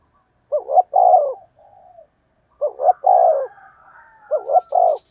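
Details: Decoy spotted dove giving its lure call to draw in wild doves: three low, mellow phrases, each a short two-note hoot then a long descending coo, separated by faint quiet cooing.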